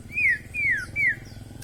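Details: White-rumped shama song to encourage silent shamas to sing: three clear descending whistled slurs, evenly spaced about every 0.4 seconds, over low background hum.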